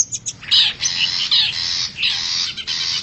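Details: Wild forest long-tailed shrike lure call: a few short chips open into longer grating, buzzy bursts separated by short pauses.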